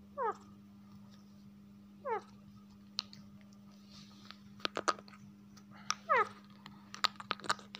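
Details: Rose-ringed parakeet perched on its owner's shoulder indoors, giving short harmonic descending squawk-like phrases at about two-second gaps, then a run of quick chatter and clicks, over a steady low electrical hum.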